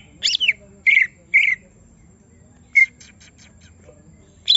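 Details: Greater green leafbird provoked and agitated so it shows its full song repertoire: a few loud, short squawky notes and slurred whistles, then a brief buzzy rattled phrase, separated by quiet gaps.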